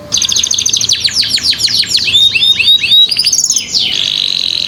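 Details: Young canaries that are slow to sing are prompted with this canary song: a fast run of repeated downward-sweeping high notes, then rising rolled trills, ending in a sustained buzzy trill.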